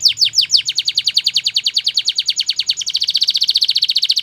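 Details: Belgian canary song used for training young canaries: rapid trills of high repeated notes, first steep downward sweeps, then a fast even rattle of short notes near the end, about two per second pulses within.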